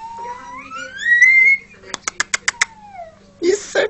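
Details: A male pet Indian ringneck parakeet doing a courtship display dance gives a long rising whistle, six sharp clicks and a falling whistle, then a short husky talking phrase, likely "peekaboo".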